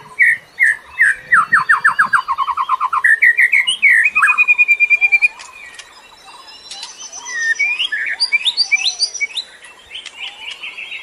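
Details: White-rumped shama forest song used to stimulate captive birds that sing little: fast rhythmic chains of repeated whistled notes and a sustained high tone, then a quieter stretch of varied rising twitters and fluty phrases.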